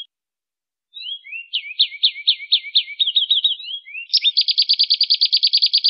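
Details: Canary in energetic gacor rolling song, meant as a master recording to train songbirds: after a brief silence, buzzy descending chirps and quick wavering trills, then a fast even roll of bright notes about five per second.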